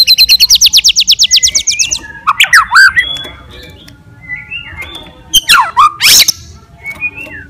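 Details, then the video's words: White-rumped shama fighter song aimed at stirring other shamas: opens with a fast repeated trill of about sixteen notes, followed by harsh squawky slurs and short whistles, with loud rasping bursts and quiet gaps. "KICAUAN GACOR FIGHTER MENAIKAN EMOSI"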